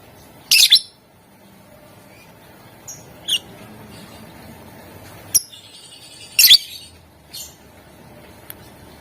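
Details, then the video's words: Caged lovebird sound used to prompt other lovebirds to sing: short, sharp, high chirps and squeaks in scattered bursts with long quiet gaps, faint background hum. "Ampuh buat Burung LOVEBIRD ikutan Gacor, Dijamin Puass Sama suaranya"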